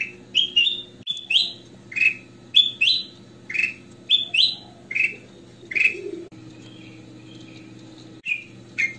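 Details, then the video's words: A goldfinch singing actively with full song gives bright, clear whistled notes in quick bursts, several per second, some rising and twittering, over a steady low hum. "KUTILANG EMAS / GOLD FINCHES - SUARA KRISTAL BENING FULL ISIAN"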